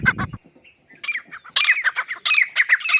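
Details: Grey francolin calling with a low thump at the start, then a few scattered squeaky notes building into a loud, harsh, repeated chorus of ringing calls.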